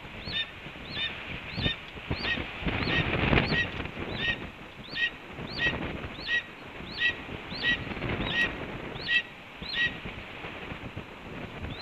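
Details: Red-tailed hawk at the Cornell nest on the morning of April 7, 2013, calling to announce a breakfast delivery: short hooked, slightly harsh notes repeated roughly every 0.7 seconds for the whole stretch, over steady rustling and background noise.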